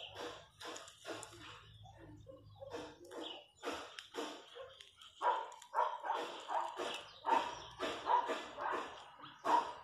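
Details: Rasping, chattering calls of countryside chachalacas, softer and broken at first, then a strong regular series of harsh bursts in the second half, over a low background hum.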